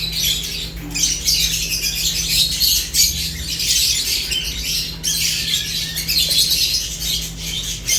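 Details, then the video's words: Lovebirds eating, with loud nonstop high chirping and harsh squawks from a group, a brief dip near the middle, then the chatter resumes over a low hum. "Lovebirds unique colors eating and chirps sounds"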